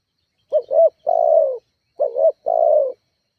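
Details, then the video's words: Spotted dove calling to provoke rivals and lure kept doves into calling: two close phrases, each a wavering double coo leading into a sustained, slightly descending coo. "Suara tekukur GACORR menekan emosi lawan"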